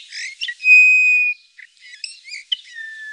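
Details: Eurasian bullfinch (Pyrrhula pyrrhula) call: a long, steady, pure piping whistle, then soft scratchy twitters and a final gently falling whistle.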